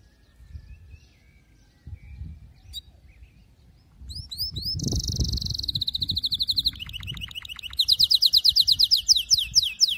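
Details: Canary song for training young birds to sing: a quiet start with faint low noise, then bright rapid trills, a buzzy rolled phrase and a fast run of repeated high notes.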